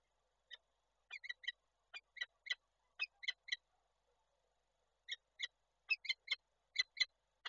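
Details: Harsh chattering calls of a female peregrine falcon during a male's visit to the nest, Koszalin, Poland, 28 January 2024, on a webcam. Bursts of rapid rasping notes, a pause of over a second, then quicker, denser calling.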